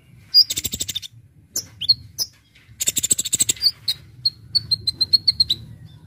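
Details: A Brown-throated sunbird, or Konin, sings a full-variety lure song. A rattling burst of rapid notes and a few sharp high chirps give way to an even series of clear, slightly falling high whistles.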